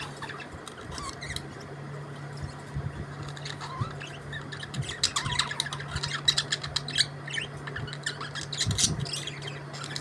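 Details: Budgerigars chirping and warbling continuously: dense overlapping high squeaks, buzzy notes and short squawks from several birds, with a constant low electrical hum underneath.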